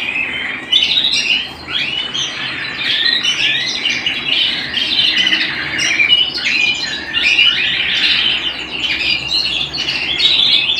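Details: Canary at home pouring out a long, dense warbling song of fast chattering trills and rolling notes, steady and unbroken throughout.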